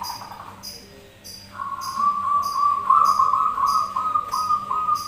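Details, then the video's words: Zebra doves calling in answer to each other, recorded as a singing lure: a short trill, a pause, then a long continuous buzzy trill lasting over three seconds, with steady high clicking behind. "Pancingan Perkutut Manggung Bersautan"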